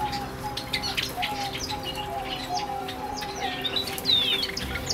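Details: Java sparrows in an outdoor aviary at the animal contact square of Asamizo Park, Sagamihara, Japan, living in winter outdoor temperatures; scattered short high chirps and a few bright sliding notes, with faint wing flutters over a steady low humming drone.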